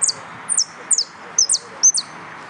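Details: Yellow canary competing in a song contest repeats loud, sharp, high notes that slide steeply downward, five phrases in quick succession, some introduced by a short flat note.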